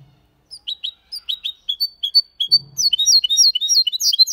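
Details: Hybrid goldfinch × canary in clean Malaga-style song; evenly spaced high chirps quickening into a dense rising twitter, with a brief low thump near the middle.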